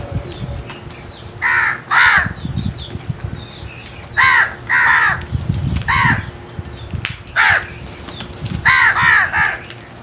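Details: Crows cawing repeatedly, harsh hoarse calls mostly in quick doubles and triples, with low rustling noise in between.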